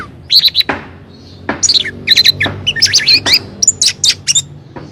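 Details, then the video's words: Orange-headed thrush song used as a lure to provoke other birds into answering: rich varied phrases of whistled and chattering notes, with loud sharp clicks and knocks between phrases. "Anis Merah Manapun Auto Teler dan Ngeplong Jika Mendengar Burung"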